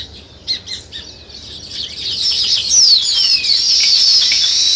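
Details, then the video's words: Scattered sparrow chirps build into a loud, dense chattering chorus, crossed by a couple of sharp descending whistled slurs. "Sparrow Chirping"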